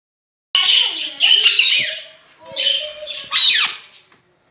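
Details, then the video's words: Pet rose-ringed parakeet talking, said to be saying "Mian Mitthu Chori Khani Ha": squeaky, nasal speech-like phrases in two bursts with a short pause between, ending on a sharp rising squeal. "Mitthu saying Mian Mitthu Chori Khani Ha talking parrot speaking parrot"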